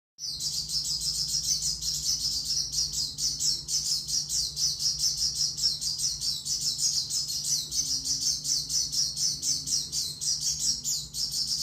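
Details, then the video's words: Oriental white-eye, locally called pleci, singing a long, fast, unbroken stream of high thin twittering notes, steady throughout, over a faint low hum. "pleci suara OB"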